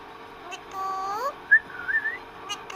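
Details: Pet parrot vocalising as it talks with its owner: a drawn-out, rising voice-like tone, then short bright whistled notes sliding upward, with a few faint clicks in a quiet room.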